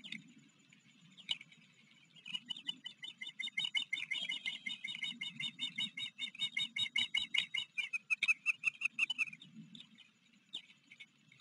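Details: Osprey on a river nest camera at Blackwater River, Maryland, July 28, 2022, afternoon, with a visiting fledged chick from a nearby nest. A long run of high piping chirps builds and quickens for about seven seconds, then stops.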